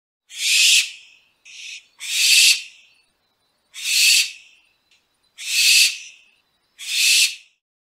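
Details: Owl giving harsh, breathy hissing screeches, six broad noisy bursts roughly every one and a half seconds, each swelling then fading, with silence between and no other sounds.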